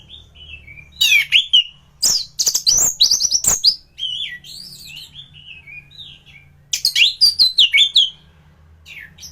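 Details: A thrush known locally as anis, in full song, recorded as a tutor for other birds: soft whistled notes interrupted by dense, fast bursts of high, sharp chips and twisting phrases.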